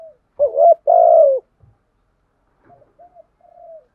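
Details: Spotted dove used as a decoy bird, calling to provoke rivals: a short cooing note followed by a longer, even, low coo, then a pause and several faint, softer coos.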